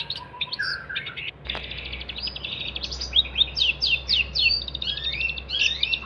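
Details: Long-tailed shrike singing vigorously, a recording meant as a tutor for training songbirds: brief notes and a low whistle, then after a soft thump a dense run of varied chattering phrases and rising slurred notes over a steady low hum.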